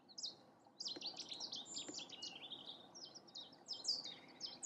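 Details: A Cetti's warbler in Newport Wetlands Reserve, in territorial or courtship display, gives loud, explosive bursts of sharp, high chirping notes in quick repeated runs, with other bird chirps and a low wetland hum beneath.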